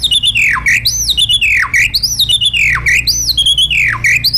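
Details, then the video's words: Caged white-rumped shama singing wild-style song, used for training caged birds: loud repeated whistled phrases swooping down then up, about one phrase per second, in a small room. "LUYỆN CHOÈ LỬA HÓT GIỌNG RỪNG"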